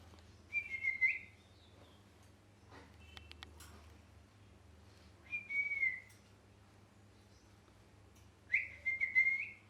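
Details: Molting pet parrot giving three drawn-out whistled notes, each gently falling then levelling, spaced about four seconds apart over a low room hum.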